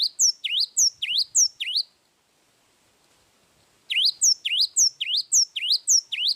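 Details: Cinereous tit singing actively in a long song: bright two-part whistled notes, each dipping then rising, repeated about twice a second in a run, a two-second pause, then another run of the same notes.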